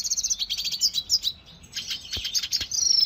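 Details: Caged red siskin song used for training, a quick high warbling series of sweet rapid notes, a brief pause, then buzzy descending twitters and a fast trill at the end.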